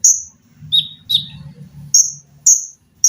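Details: Olive-backed sunbird (konin) singing on a cage-bird tutoring recording, in the tembakan rapat, mesin jahit, lengkingan and besetan styles: sharp, very high chirps at irregular intervals over a faint low hum.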